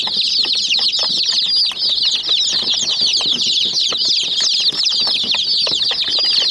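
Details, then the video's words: Many chicken chicks attacking and pecking a small white toy jeep, giving a dense chorus of high, overlapping peeping chirps with constant sharp tapping clicks from the pecking. "Murgi Chicks Chirping Sounds"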